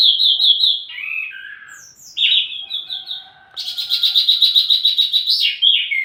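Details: Varied Wambi mini song, kept as lure and master audio for flowerpeckers: clear repeated chips and falling slurs, a pause, then an intense buzzy rattling trill with a final downslur.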